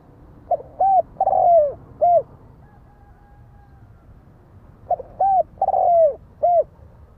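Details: Spotted dove repeating its cooing phrase twice, each made of a short note, a clear coo, a drawn-out purring descending coo and a final soft coo, with a quiet gap between phrases.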